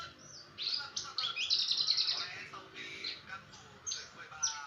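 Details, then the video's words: Brenjangan song used as training audio for other songbirds: varied high chirps, short sweeps and warbled phrases in bursts, loudest in the middle, with faint low voices in the background. "masteran burung brenjangan"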